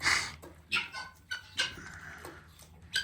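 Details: Guineafowl at a farm where chickens are drinking water give harsh, grating, scratchy calls in short bursts, about one every half second to second, with faint farmyard background noise.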